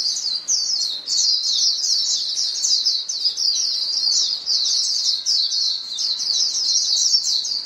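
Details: White-eye flock calling among themselves: rapid, piercing little chirps tumble over one another in a constant high chatter.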